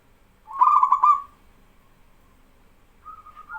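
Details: A local male zebra dove sings to prompt other doves to answer. One loud, rolling, vibrating coo of under a second is followed after a silence by a fainter, wavering coo.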